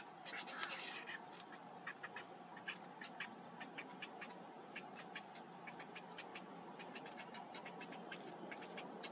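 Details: Cinnamon bittern chicks, 7 days old, begging while a parent feeds them, give rapid, high, clicking chatter of dozens of short ticks per second over a steady low background hiss.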